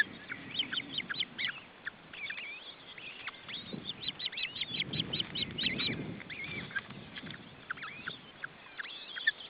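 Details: Male osprey trying to feed his chicks at the nest: a dense stream of short, sharp whistled chirps and rising-falling yelps, many overlapping, with brief low rustling and thumps underneath.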